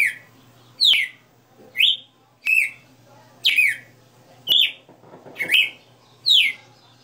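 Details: Caged red-cowled cardinal (galo de campina) in full 60-note song, clear whistled notes sweeping up and down, one phrase roughly every second, sharp clicks in the background.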